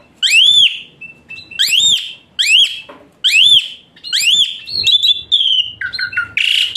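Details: Asian pied starling song played as therapy for a starling that sings lazily: loud arched whistles repeated every second or so, with flat whistled notes between and a harsh burst at the end.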